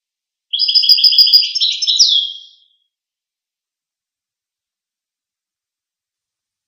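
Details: One goldfinch phrase: a fast, steady stream of high twittering notes for about two seconds, closing with a downward-slurred note, followed by silence.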